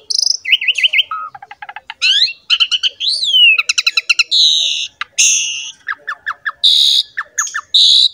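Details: An Asian pied starling sings as a lure for other songbirds, giving rippling trills, wavering buzzy notes, a sliding whistle and clusters of sharp chips.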